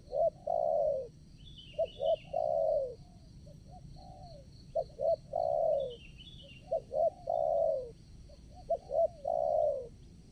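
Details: Wild spotted dove lured to a decoy in the morning at a plantation site with petai, jengkol, coconut and durian trees: low, hollow coos, two or three short notes then a longer drawn-out coo, about every 2.5 seconds; faint chirping above.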